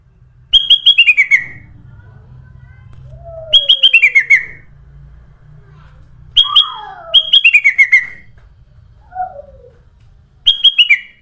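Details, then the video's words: Sooty-headed bulbul song serving as bait for attracting birds: bubbly phrases of quick, looping notes that start high and tumble downward, repeated about every three seconds, with softer sliding whistles between phrases. "SUARA BURUNG KUTILANG EMAS UNTUK PANCINGAN DAN SUARA PIKAT"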